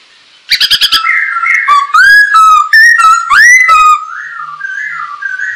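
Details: Masked laughingthrush song used as a master recording to train birds: a quick rattle of clicks leading into a run of varied whistled notes, rising and falling, fading at the end.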